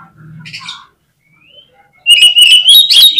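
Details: Oriental magpie-robin (kacer) in full gacor song. A soft low hum and faint notes come first, then after two seconds an abrupt loud stream of shrill, rapidly repeated whistled phrases takes over.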